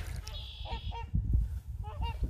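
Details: Geese flushed by a canoe on a creek, possibly flying back to where they were scared from, give about four short, nasal honks in two pairs over a low rumble of wind and movement and a brief high whine.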